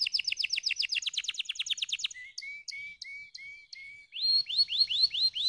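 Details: A canary sings to get lazy birds singing. It opens with a rapid, bright trill of double-toned notes, then gives slow, low, flat whistles and finishes with rising upswept chirps.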